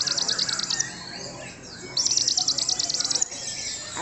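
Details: Young white-rumped shama singing rapid, high, repeated chattering notes in two bursts separated by a short pause, over a hissy, noisy background.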